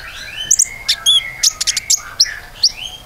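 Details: Common iora song used to prompt other birds to sing: high, sharp chirps and short upward-slurred notes over a softer, lower warbling backdrop.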